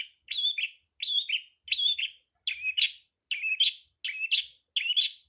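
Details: Long-tailed shrike, recorded as a master track for teaching songbirds, repeats a scratchy two-part chirp with a twisting whistled core about every 0.7 seconds, seven times in a steady, clean series.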